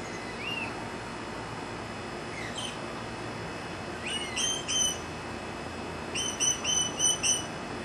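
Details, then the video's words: Green aracari giving bursts of short, high, harmonic-rich notes, in two quick clusters of three to five, each note sharp and ringing over a steady background hiss. "Green Aracaris"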